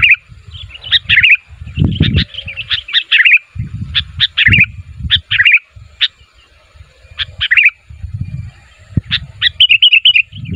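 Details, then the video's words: A sooty-headed bulbul calls to get other bulbuls answering, with busy chattering runs of bubbly notes, isolated sharp chirps and a final fast trill-like burst, over patchy low rumbling noise. "SUARA BURUNG KUTILANG MEMANGGIL, KUTILANG LAIN MANA TAHAN GAK NYAUT"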